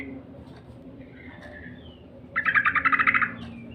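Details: Yellow-vented bulbul lure sound: faint thin notes, then a brief, loud, fast run of about ten clipped chattering notes near the end, over a steady low hum.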